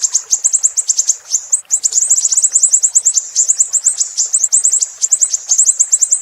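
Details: Siri-siri singing in a tutor recording for songbirds: rapid, shrill, high-pitched chirps in tight runs, with a brief pause near the start, then a continuous busy chatter of sharp notes.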